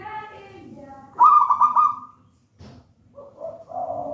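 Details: Zebra dove of local wild stock, taken from a nest in a banana plant, giving one rapid, rolling phrase of stuttering coos among other faint, lower calls and soft background sounds.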